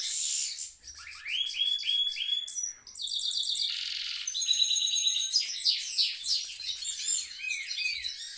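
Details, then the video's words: Caged goldfinch mule in full rolling song: a chain of upswept chirps, buzzy pulsed trills and twittering runs, varied and nearly unbroken. "mule goldfinch rolling on cage"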